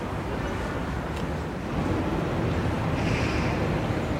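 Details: Steady broadband rumble and wind noise, much like a passing vehicle, growing louder after a couple of seconds.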